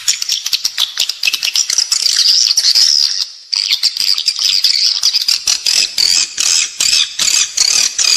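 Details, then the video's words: Indoor attraction call for edible-nest swiftlets inside a building: nonstop shrill twittering and rapid clicks, with a brief pause midway before the chatter resumes. "เสียงเรียกนกแอ่นกินรัง ((ด้านในตัวตึก))"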